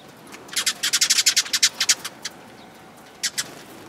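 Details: Sparrows coming to be fed, recorded 29 March 2022: a quick run of about fourteen sharp, high chirps packed into under two seconds, then two more after a short pause.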